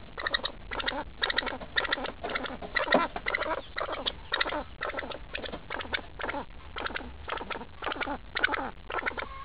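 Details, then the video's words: Pheasant, described as angry and hostile toward people, making a steady run of rasping, throaty bursts, each under half a second, repeated nearly twice a second throughout. "angry pheasant....doesnt like us at all!!!"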